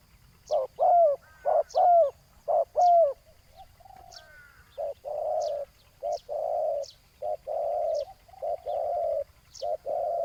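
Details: Spotted dove used as a ground decoy to lure a loud-voiced wild rival: deep, hollow coos in grouped phrases, with short rising bent notes between them. Faint high chirps of another bird sound in the background.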